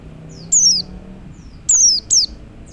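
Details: Male Oriental white-eye calling other white-eyes: three bright, high, down-sweeping whistled notes, the last two close together, with a faint low hum behind.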